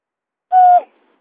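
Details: Buttonquail call used as a lure: a single short, steady, hooting note with a bright overtone, lasting about a third of a second, in clean silence.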